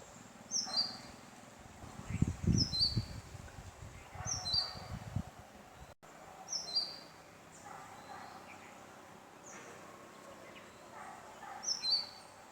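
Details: Indian robin, the black-backed robin of Sri Lanka, a bird of dry open gardens, scrub and cultivation: sharp high chirps in short clusters, repeated every second or two, with faint low rumbling early on and quiet background hiss.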